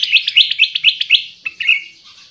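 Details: Kutilang emas, the Black-crested Bulbul, singing as a lure for trapping birds: a quick series of about seven bright, clipped notes at a steady pace, then a couple of separate chirps and a short falling whistle.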